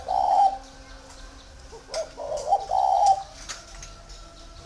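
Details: Spotted dove held in captivity at a dove farm in Ba Vì, Vietnam, cooing: a drawn-out hollow coo at the start, then a pair of short notes leading into a longer coo, with clicks and faint background noise.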